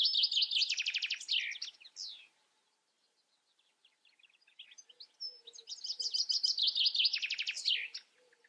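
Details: European goldfinch song in two long bursts of bright, rapidly repeated twittering trills, with a quieter scatter of thin notes between them and faint low sounds in the background.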